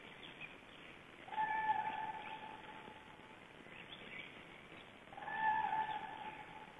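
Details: Cranes flying over a black stork nest in Estonia on 13 April 2012 give loud, rolling trumpeted calls: two long bursts about four seconds apart, with a fainter call between them, over a soft background hiss.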